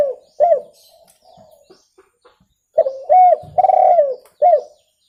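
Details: Clear spotted dove calling, suited to luring birds: an arched coo and softer trailing notes, then after a pause a loud phrase of arched coo, long purring coo and a final arched coo.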